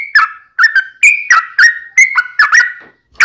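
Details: Fighting song of a yellow-vented bulbul, meant to provoke rival birds into singing: short, clipped, clear notes that rise and drop in pitch, delivered in quick pairs with brief gaps.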